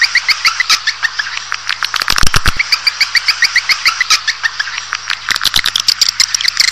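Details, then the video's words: Swiftlets in a calling recording meant to draw a colony into a building: dense high twittering chirps repeated in series, punctuated by bursts of fast sharp clicks, over a faint constant low hum. "Panggil Walet Super Versi 3"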